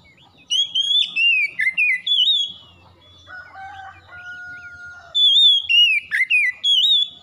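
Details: Oriental magpie-robin singing lively 'gacor' song, two bursts of loud whistled, slurred phrases with sharp note changes, separated by a pause where a faint steady two-toned drone sounds.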